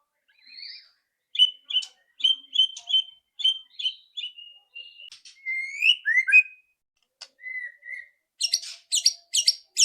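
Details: White-rumped shama's loud ketrekan song, used to prompt singing: a row of crisp, evenly spaced whistled notes, rising swoops, short level whistles, then quick, high, chattering bursts near the end.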